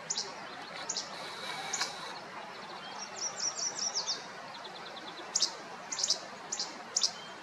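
A Least Flycatcher gives its sharp, snappy two-part 'che-bek' song, repeated every half second or so.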